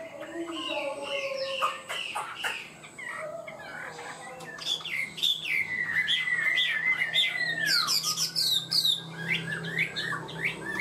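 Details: Kept Chinese hwamei, quick and steady singer in the 'cao cầu' style: long varied song of slurred whistles and trills, building into a rapid jumble of sharp rising and falling notes, with a faint steady hum beneath.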